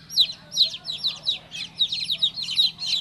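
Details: Newly hatched chick chirping, a string of shrill, falling peeps spaced about every third of a second, some doubled, with soft low hum behind.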